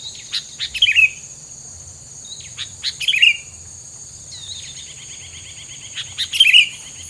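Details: Bird filler song in three separate phrases a few seconds apart, each a cluster of quick chirps ending in bright twisting whistles, with a faint trill between phrases and a steady high hum behind.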